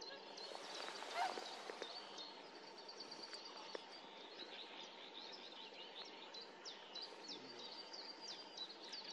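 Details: Snipe recorded at Tranholen, 2024, giving sharp high clipped notes over and over at a fairly even pace, set against steady background hum and a faint low tone.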